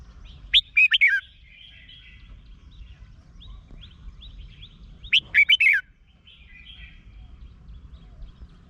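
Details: Song of a caged Red-whiskered bulbul from Thailand, used to stir up other caged birds: two bright warbling phrases of four or five fluty notes, about four and a half seconds apart, with soft background twitters between.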